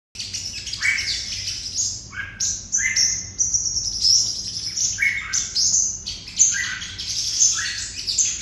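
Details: Red-whiskered bulbul delivering a 'hút mật' song from Đồng Nai, Vietnam: bright, chirpy phrases of quick rising and falling notes, mostly high-pitched, in bursts every second or so with short gaps.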